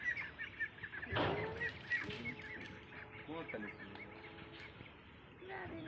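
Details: Ducks at a pond, with Mandarin ducks, mallards and Pekin ducks present, give a few nasal, harmonic quacks in the first two seconds and again near the end, over steady higher bird chatter.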